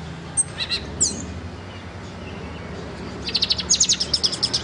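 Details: A caged black and white pet bird with a silver beak gives a few isolated high squeaks. After a pause it breaks into a quick train of bright, evenly spaced chirps at a very high pitch.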